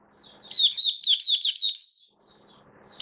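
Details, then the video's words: A single rapid, rolling phrase of high sweet twittering notes from a caged oriental white-eye in build-up song form, 19 September 2022, lasting about one and a half seconds before a soft trailing note. "Mata Puteh V2 Raja Buka Sing Build Up Form"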